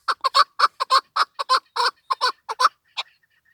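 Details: Chukar partridge, female, giving dense bursts of harsh, clucking chuck notes, often paired, closing with a thin, higher note after a short pause.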